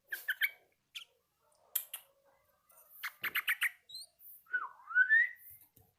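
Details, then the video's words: A Yellow-vented bulbul learning its song mixes short chirps, a quick series of buzzy notes and a long rising whistled slur near the end. "BURUNG TRUCUKAN BELAJAR BUNYI"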